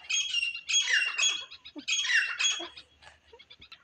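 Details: Grey francolin, used in trapping wild partridges with a pet decoy, gives loud grating squawked phrases in quick succession, each a harsh rising-falling burst, with faint rustling between.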